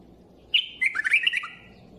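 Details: A single sharp note opens a bulbul's brisk warbling phrase of tumbling, fluty whistles, with a low dropping note near the end and quiet background hum.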